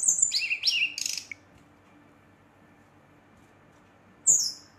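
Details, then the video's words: Brown-chested jungle flycatcher singing aggressively to provoke rival birds: a quick burst of high, sweet whistled notes in the first second and a half, then quiet, then one more bright high note near the end. "Sikatan Rimba Dada Coklat ngamuk memancing emosi srdc lain"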